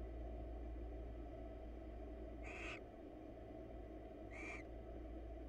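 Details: Wild barn owls preening each other's feathers in a nest box; two brief, breathy rasping bursts about two seconds apart after a quiet opening, over a steady low hum.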